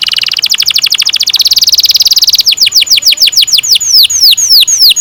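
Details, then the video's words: Canary with a long rolling song, played to train young canaries. A rapid pulsed roll runs steadily, then slows into a series of loud descending whistled sweeps spaced a few per second. "Kenari gacor NGEROL PANJANG"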